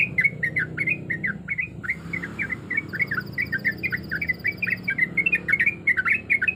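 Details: A breeding-condition female yellow-vented bulbul calls males with fast, chattering chirps that dip and rise. There is a brief pause near the two-second mark, then the notes resume. A thin high tone runs in the background.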